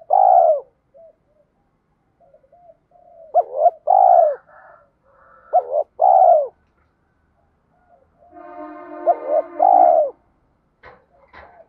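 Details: Spotted dove cooing used to prompt untrained birds to call. Several repeated phrases of quick hooted notes lead into long falling coos. Near the end a steady buzzy tonal hum overlaps one phrase, and brief clicks follow.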